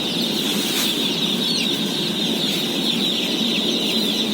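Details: Shrill, crowded peeping from day-old chicks being fed, among 17,000 birds, a few individual cheeps rising above the steady high chorus, with a low rumble underneath.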